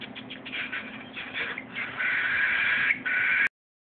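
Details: Hungry cockatiel hatchling during hand-feeding, giving a continuous scratchy, hissing rasp that builds into a long, strong buzz before cutting off abruptly, over a faint low hum.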